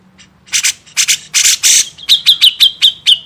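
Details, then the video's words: Grey-cheeked bulbul master recording meant for songbird training: several loud, harsh, buzzy bursts, then a steady train of short, sharp, clicking notes at a quick, even pace. "masteran burung cucak jenggot"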